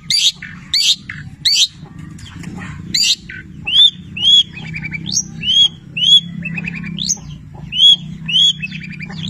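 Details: Long-tailed shrike singing with labet and canary mimicry. Harsh, scratchy bursts come first, followed by clear rising whistles alternating with brief buzzy notes, spaced about a second apart.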